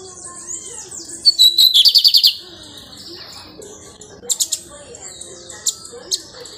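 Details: Pirata lined seedeater nesting and singing: thin high whistles give way to a rapid buzzy trill of around eight pulses and a trailing buzz, then scattered sharp chip notes.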